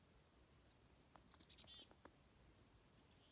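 Faint, very high, thin chickadee notes in quick scattered bursts, with a few lower tones, over a soft woodland background hiss.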